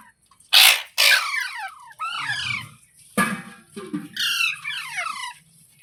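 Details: Pet parrot, filmed as talking, letting out loud rasping squawks with falling pitch, several in quick succession, along with a low murmuring rumble and scattered clicks.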